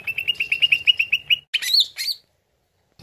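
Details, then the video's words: Lure song of a greater green leafbird, meant to draw a reply: a fast even series of about a dozen short chirps, followed by two louder upward-sweeping whistled notes. "CUCAK IJO LANGSUNG NYAUT DENGAR PANCINGAN INI"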